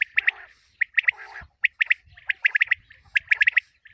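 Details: Common quail calls used for quail hunting: quick bursts of two to three sharp clipped notes, repeated irregularly over a few seconds, with some softer buzzy sounds between the bursts.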